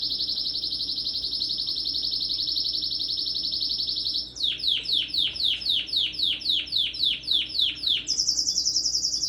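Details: Canary singing, recorded December 17, 2021: a loud, even high trill held for about four seconds, then a run of about a dozen quick downward-sweeping notes, ending on a bright, higher rapid trill.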